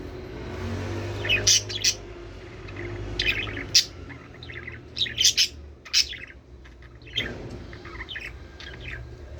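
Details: Budgerigars chattering, played to encourage the birds to breed: bursts of sharp, high chirps and squeaky notes come in irregular clusters every second or two, with quieter gaps and a low background hum between them.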